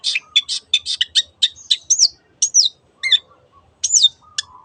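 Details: Cendet, or long-tailed shrike, singing 'teot teot' as a lure for other birds: a rapid burst of harsh, scratchy notes, then several clear down-slurred whistles spaced about a second apart.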